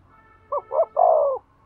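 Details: Spotted dove coo meant to stimulate a male: two short soft notes followed by a longer, slightly falling coo, over a faint steady hum.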